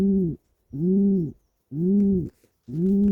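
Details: Pigeon cooing happily in its nest while twitching its wings: four low, soft, slightly arched coos, each about half a second long, repeated roughly once a second with short silent gaps.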